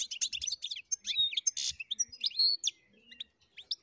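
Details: A European goldfinch sings in its natural habitat: a fast, high, tinkling twitter of liquid chirps, short trills and a few buzzy notes that run together with barely a pause.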